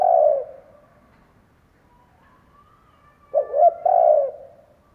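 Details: Spotted dove kept as a decoy, cooing to lure wild doves: a fading coo, a pause, then a full phrase of quick short coos and a longer drawn-out coo.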